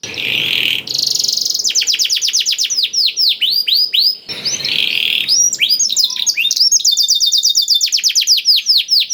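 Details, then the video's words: Canary singing a blackthroat-filled song, played to coax other canaries into song: opens with a harsh buzz, then quick descending whistled sweeps, a second buzzy burst midway, and long rapid trills of repeated high notes. "KENARI ISIAN BLACKTHROAT #175 || VOICE OF CANARY"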